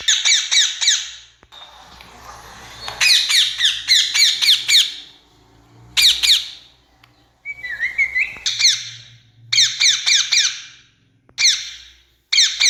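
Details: Rose-ringed parakeet calls used to attract the birds toward a trap; shrill, high, rasping screeches in rapid bursts of several notes, with short pauses between bursts and one lower, squeaky note near the middle.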